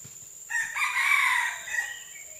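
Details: Red junglefowl on June 12, 2011, giving a single crow: an abrupt start, then a drawn-out, rich, slightly rising and falling strained note of about one and a half seconds that tails off, over a steady high background hiss.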